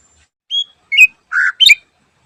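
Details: Cucak ijo, known in English as the greater green leafbird, singing in the morning: four short separate notes, a whistle, a sliding whistle, then a lower warbled phrase and a sharp chip.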